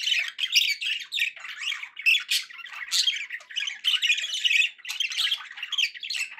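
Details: Continuous budgerigar chatter, a steady flow of buzzy chirps, squawks and warbled notes from pet birds, loud throughout with barely any silence.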